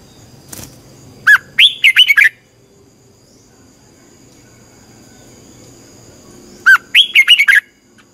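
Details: Red-whiskered bulbul training song for a caged bird: a quick whistled phrase of rising and falling notes, then a long pause, then the same phrase repeated almost identically, over a quiet background.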